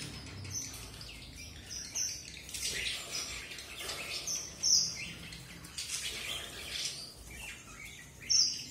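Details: Sparse, very high, sharp whistled notes from a red avadavat (strawberry finch) stand out every few seconds over softer, fainter chirping and low background noise.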